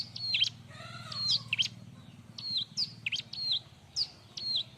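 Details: Bar-winged prinia singing a busy song meant for tutoring other birds: sharp, high, clipped notes and short slurred whistles in loose groups, one lower wavering note near the start, with a steady low rumble behind.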